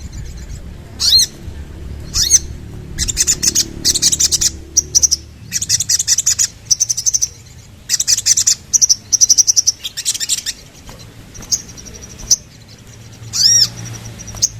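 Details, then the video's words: A Sooty-headed bulbul gives bursts of high, squeaky chirps and quick rattling phrases in clusters every second or so, over a faint low rumble. "Sogon Langsung Bunyi Dengar Ini!!!"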